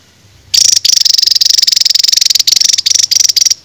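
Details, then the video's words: Masteran training song of a songbird: a sustained, rapidly pulsing, shrill buzzy trill of about three seconds, with tiny breaks, after a quiet opening. "BURUNG JADUL RAJA TEMBAK MASTERAN"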